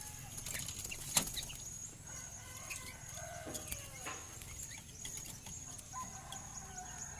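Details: Sooty-headed bulbul, a tame and chatty bird, gives rich layered whistles: sustained, slightly wavering notes in the middle of the clip, framed by quick sharp chirps and a loud click, with a steady high whine behind.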